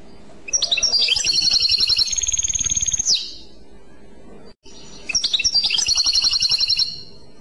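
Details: Clochette-style song of a European goldfinch: two phrases of rapid, bell-like twitters, the first ending in a sustained high trill, separated by a quiet pause of over a second.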